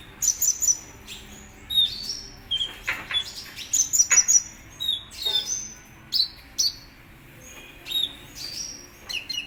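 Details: Kolibri ninja sunbird singing vigorously, a contest bird: short high chattering phrases and sharp whistled chips in irregular bursts, separated by brief pauses and some clicking sounds.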